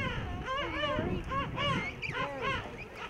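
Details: Thousands of breeding king penguins and their chicks in a huge rookery on Salisbury Plain, South Georgia, call at once, with overlapping brassy, wavering trumpet-like notes that rise and fall, over a low rumble of wind.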